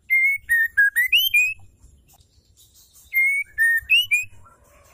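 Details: Calling female white-rumped shama, meant to excite males to sing: two runs of pure, ringing whistles, each note held briefly, dropping in pitch then climbing to a higher final pair.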